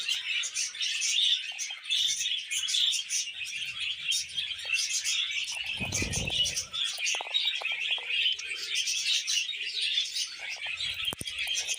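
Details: Two budgerigars, a couple, singing together on a person's hand, producing a steady stream of scratchy chirps and twittering notes with a brief low handling rumble midway.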